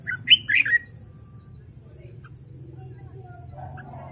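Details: Red-whiskered bulbul trained for competitive singing gives a quick warbled phrase at the start, followed by a long run of thin, high, faint chirps from other birds over low background hum.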